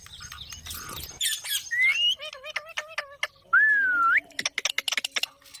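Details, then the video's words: Parrot squawking and chattering, with wavering repeated notes, a long smooth whistled note sweeping down then up, and a rapid burst of clicking calls. "Parrot Natural Sounds Compilation | Parrot Talking Videos/ Voice|Mitthu ki awaaz|Parrot ki awaaz"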